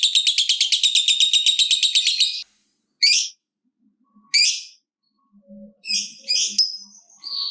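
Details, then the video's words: Lovebird in the 'ngetik' (typing) style of long ngekek chatter, used to provoke other lovebirds and rivals into singing: a rapid high trill of buzzy repeated notes for over two seconds, then a pause and several separate shrill chirps. "Suara Ngetiknya Bikin Lovebird Manapun Cepat Terpancing Ngekek dan Cepat Bikin Musuh Ikut Gacor"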